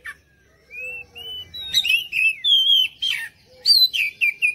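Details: Oriental magpie-robin singing as a lure for other birds: gentle sliding whistles build into loud, bright, emphatic phrases, with sharp descending notes and rapid chirpy bursts toward the end.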